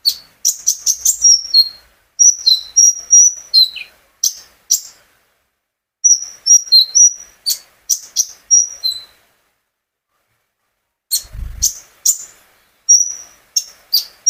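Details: Captive sunbird, the owner's own bird, singing as a lure to prompt other birds to sing: bursts of sharp high chirps and short whistled notes, with pauses of a few seconds between phrases and one faint low thump.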